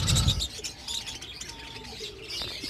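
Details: Budgerigar breeding colony in breeding season: a low thump opens, then ongoing high chattering chirps with a soft, level whistled tone drifting through the middle.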